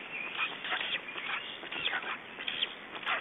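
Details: Unattended black stork nestlings in Estonia, 3 June 2012 at 19:18, utter hoarse, rasping cries almost continuously, loud bursts roughly twice a second, with a hissy background.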